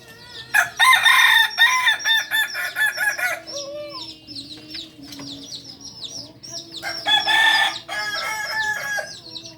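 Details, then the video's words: Farm-raised Kokok Balenggek from Solok crows twice in long runs of quick, pulsing syllables, roughly four per second, with high chirping from small birds filling the pause between. "Ayam kukuak balenggek ayam penyanyi asli solok"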